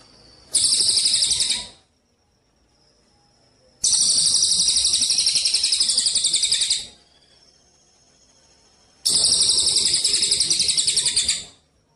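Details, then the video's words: Eurasian tree sparrow of the Cililin type giving 'kapas tembak' song for contest-bird training: three bursts of rapid, piercing pulsed trills, each about one to three seconds long, separated by short silent pauses. "gereja_cililin _kapsa tembak suara asli dan jernih# berjeda"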